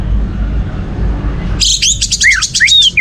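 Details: Orange-headed thrush song used as a lure to stimulate other birds to sing: after a second and a half of low room rumble, rapid high chips mix with clear slurred whistles that rise and fall, in quick varied phrases.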